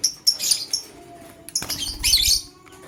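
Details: Male lovebird chirping while choosing a partner: a few high, sharp chirps in short bursts, then a louder chatter, with wing flapping and cage rustling.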